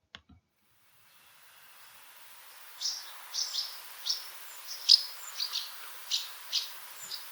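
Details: House Martin calling: a string of short, dry, high chirrupy notes, roughly two to three per second, over a steady hiss of background noise.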